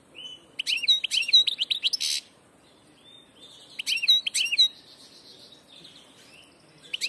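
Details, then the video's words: A European goldfinch hybrid gives two dense phrases of quick chattering notes with looping up-slurred chirps about three seconds apart, followed by a soft, level buzzy note and a brief closing twitter. "jilguero del paso"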